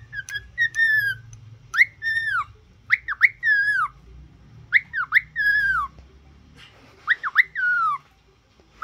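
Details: A cockatiel in training to sing and talk whistles a repeated phrase: a sharp rising note then a long falling slur, given about every second, over a low steady hum.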